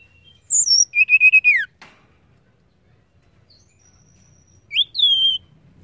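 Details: Female Banded Pitta call, used to stimulate males into calling. A thin high whistle slides down into a fast, buzzy trill that drops at its end. After a click and a pause, a sharp whistle rises and then falls away.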